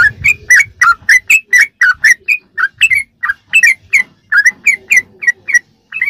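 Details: Rapid 'ropelan' song of a sooty-headed bulbul, used as fill-in training material for caged birds: a fast, steady run of short, fluty, bubbling phrases, each a quick slurred whistle, some rising and some falling, with only brief gaps.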